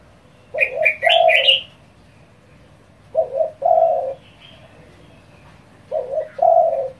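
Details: Fast, insistent calling by a spotted dove to provoke rival doves: three low hollow coo phrases roughly three seconds apart, each a short stuttered note and a longer one, high chirps over the first phrase.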